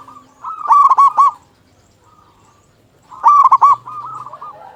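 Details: Zebra dove of a local strain, singing steadily, a recording meant to stir other doves into song: two loud bursts of quick, clipped cooing notes, each followed by a softer trailing phrase, with a silent gap between.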